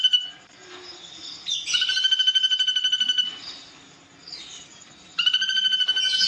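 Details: Ashy drongo singing vigorously, used for songbird training and described as long and harsh: bursts of fast buzzy pulsed trilling, separated by quieter gaps with soft warbled notes.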